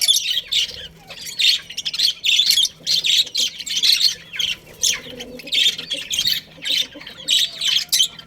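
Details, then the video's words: Budgerigars, a breeding pair kept in a colony, give loud harsh chirps and squawks in rapid bursts, roughly two per second, evenly repeated through the recording. "Cute Budgies Chirping Sounds"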